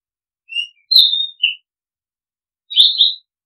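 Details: Oriental magpie-robin song used as a decoy sound: a faint whistle, a strong sliding whistle and a short lower note, then after about a second of silence a second, burry warbled phrase of rapid slurred notes. The background is quiet.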